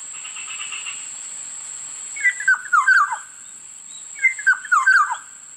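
Black-naped Oriole giving two liquid, fluty whistled phrases about two seconds apart, each a quick rolling run of falling notes, over a steady high insect hum.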